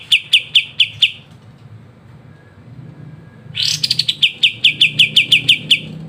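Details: Master song of a kapas tembak for songbird training, in a crisp ngebren style: a row of sharp high chips, a pause, then a rough rising burst that leads into fast, even chip notes.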